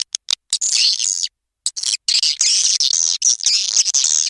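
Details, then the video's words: Swiftlet call and roosting sounds: dense, high, buzzy twittering chirps and chattering bursts, with some short clicks at the start and brief gaps between runs. "SUARA PANGGIL DAN INAP BURUNG WALET"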